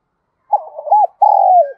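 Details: Spotted dove acting as a decoy in the forest to attract wild doves for fighting. A single soft, low phrase: quick rolling coos, then one long, slightly falling coo.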